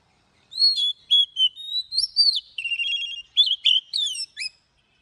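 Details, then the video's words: Oriental magpie-robin, kept for training, giving morning song in forest-voice style with long notes: a continuous, varied stream of bright whistles, quick trills and sliding notes, rising and falling, in a quiet setting. "Luyện chòe than hót sáng kích bổi căng lửa nhanh hót/Chòe than hót Giọng Rừng Đi Âm Dài cực hay"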